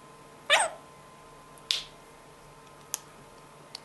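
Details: A pet parrot, prompted by its owner to sing, gives one short, bright warbled chirp, then a breathy rasp and a couple of faint clicks in a quiet room.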